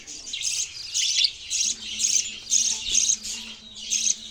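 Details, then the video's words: Budgerigars chattering: bursts of scratchy, high warbling chirps about twice a second, with a faint low hum underneath. "Sound of Budgies Birds | Beautiful Parrot Singing voice"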